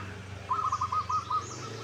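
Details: Local zebra dove used as a lure to get other doves singing and answering: one short burst of quick, evenly spaced cooing notes at a steady mid pitch, over a low background hum.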